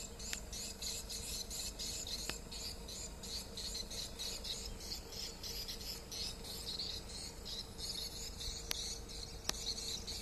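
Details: Swiftlet distress call: dense, high, rapid chittering chirps pulsing continuously, with occasional sharp clicks and a faint steady low hum underneath.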